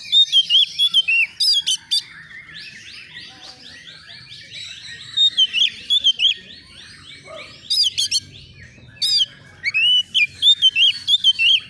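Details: Agitated young Oriental magpie-robin seeking an opponent: repeated volleys of loud, sharp whistled notes, with fast runs of six or more, separated by soft trains of rising chirps in the background.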